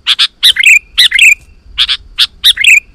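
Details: Sooty-headed bulbul song for calling wild birds: paired sharp chips followed by short gurgling phrases that slide down, repeated three times in quick succession, with soft low background noise.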